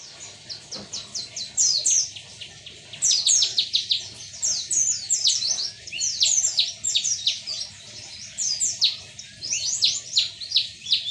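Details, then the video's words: Hand-raised white-eye, kept since it was young, singing at midday: a long rapid stream of high, thin twittering notes and sharp down-slurred chirps, in bursts with brief pauses, over a faint low hum. "siang nya ditemani burung pleci rawatan dari kecil"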